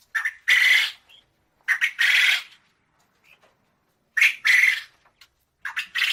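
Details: Quail calling repeatedly, each phrase a stuttered pair of short notes followed by a long, harsh, buzzy note, roughly every two seconds.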